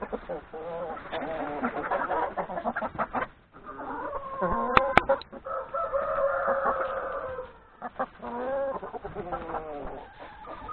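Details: Domestic hens and three roosters eating breakfast in a yard ahead of grazing in a forest; steady flock clucking with a long, drawn-out crow-like call mid-clip, two sharp clicks and brief quiet gaps.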